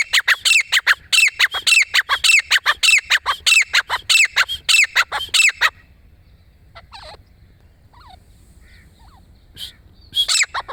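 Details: Grey francolin giving a long, rhythmic series of loud, harsh, ringing calls, evenly repeated for about six seconds. Quiet follows with faint chirps, then a few more harsh notes at the end.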